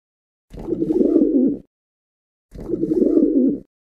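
A pigeon gives two soft, throaty, warbling coos, each about a second long and two seconds apart, with silence between.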